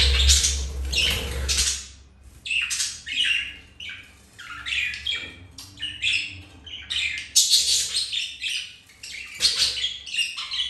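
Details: Pet budgerigars mating, flirting and playing; a loud low rustle at first, then busy high chirping chatter, short squawky notes tumbling quickly one after another.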